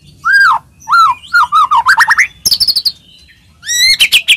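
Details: White-rumped shama song used to provoke other shamas into singing: loud clear whistled notes falling in pitch, repeated, then a run of quick rising whistles, a burst of high chattering notes, and a final high whistled phrase.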